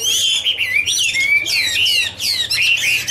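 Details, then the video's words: Loud, bright warble from Chinese hwamei singing a duet while dancing: ringing whistled notes sweeping upward and downward, with brief gaps between rapid bursts and a low hum underneath. "Birds Garrulax canorus singing: dancing, duet fin wings, wonderful warble songs"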